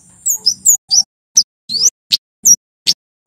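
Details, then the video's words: Singing male Javan kemade sunbird, a lure recording for wild-caught birds: separate high, sharp chirps and short whistled notes, about two to three per second, spaced with clean silent gaps. "SUARA KEMADE JAWA JANTAN GACOR"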